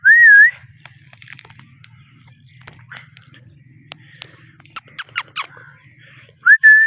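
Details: Pet rose-ringed parakeet, a ringneck kept as a talking parrot: a loud wavering whistle opens and closes the passage, with scattered soft clicks and short squeaky chirps in between over a faint low hum.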